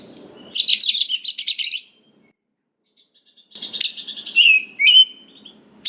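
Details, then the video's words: White-rumped shama (kacer) lure song to stir young forest birds into replying: a burst of rapid buzzy rattling notes, a pause, then clear whistled slurs and bright chirps with sharp rising and falling sweeps. "Pancingan Suara Dasar Kacer Gacor Cocok Sekali Untuk Pendongkrak Emosi Kacer Muda Hutan Agar Nyaut"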